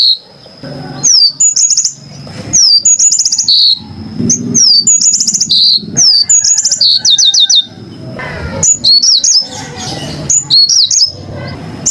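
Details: Yellow-fronted canary singing a lively run of sharp high chirps, slurred whistles and quick trills in dense bursts, with a constant high tone and low murmur behind.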